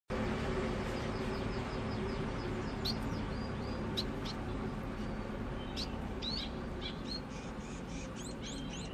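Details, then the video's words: A young scaly-breasted munia learning to sing practises thin, high whistled notes and quick rising sweeps, soft and irregular, over a steady low background hum. "Burung pipit/emprit/peking jawa belajar ngoceh"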